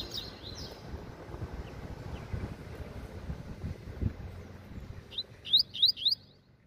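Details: Double-collared Seedeater, a caged bird, singing 'meio canto' half song; low broadband noise dominates before a closing run of four quick rising whistles, with faint twitters at the start.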